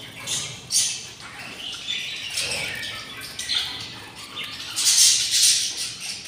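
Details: Six hungry budgie chicks begging in the nest on day 24, producing grating, buzzy rasps in uneven pulses, with rustling movement and a stronger hissing burst near the end.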